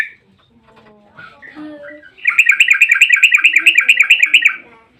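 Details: Yellow-vented bulbul, long 'ropel' song used to lure bulbuls into singing: after quiet low murmurs, a rapid even string of about a dozen bright chirping notes lasting two seconds.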